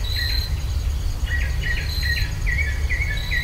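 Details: Birds singing in rural Virginia, stereo ultrasonic microphone recording: short slurred whistles repeated about twice a second, with thin high tones drifting above and a heavy low hum throughout.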